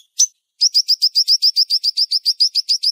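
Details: Siri-siri bird tutor song in a sharp, fast, tight style: a single high chirp, a pause, then a quick, very even run of high sharp chips, about six per second.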